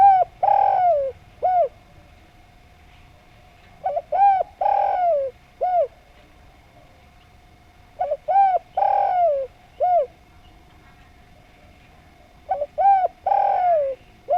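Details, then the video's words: Spotted dove from Java in full song: four repeated cooing phrases about every four seconds, each short soft notes leading to a long descending coo and a brief final note; a faint steady background hum. "Derkuku Djawa Gacor Suara Nglaras, Paling Enak Didengarkan"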